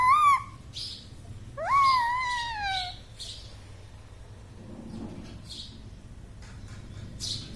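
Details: Pet green parrot said to speak words such as mummy and papa, with a short voice-like note then a longer falling harmonic utterance, followed by quiet room noise and faint rustling.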